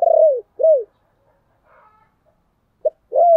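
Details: Lure song of a spotted dove, played to attract wild doves; two strong descending coos, a quiet gap, then a short clipped note and a longer coo starting again.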